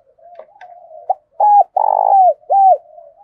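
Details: Decoy spotted dove calling to excite wild doves: a low continuous murmur of soft cooing underlies a loud phrase of a short note, an arched coo, a long vibrating coo and a closing arched coo.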